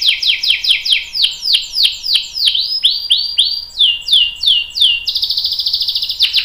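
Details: Canary performing long rolling song as a training master for young canaries: repeated sharp downward-sweeping chirps about three per second, shifting into a fast high buzzing roll at the end.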